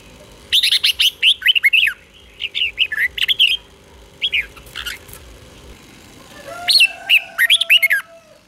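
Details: Red-whiskered bulbul singing in the doubled 'beun' style used to train young birds to copy: bursts of loud, clear, rising-and-falling whistled notes in quick runs, separated by short pauses, with a faint steady hum underneath.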